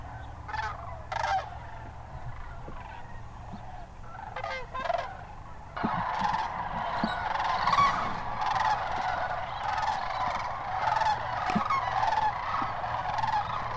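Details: Sandhill cranes at the Hiwassee Wildlife Refuge in Birchwood, Tennessee, on January 16, 2013: a few scattered rolling, trumpeting calls, then from about six seconds a dense, continuous chorus of many overlapping bugling calls.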